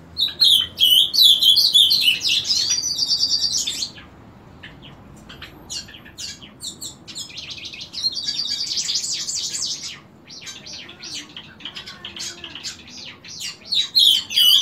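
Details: Ultramarine grosbeak singing, as it does each morning from 7 o'clock: long stretches of rich, rapid warbling with buzzy trilled passages, separated by brief quiet gaps, resuming at the end.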